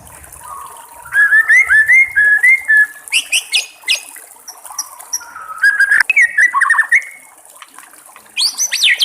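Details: Wild white-rumped shama singing with trickling water in the background: a rising series of clear whistles, then sharp high sweeping notes, a pause, and another phrase of looping fluty whistles ending in high chatter.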